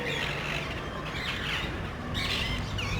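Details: A few parrots visiting a neighborhood in search of nest sites give hoarse, raspy squawks in two short bursts, separated by a brief pause, against a low background hum.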